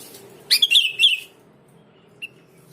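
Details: Sooty-headed bulbul recording played to prompt other bulbuls to answer: a short burst of bright, chirpy notes that slide downward, lasting under a second, then a single faint chirp later over quiet background.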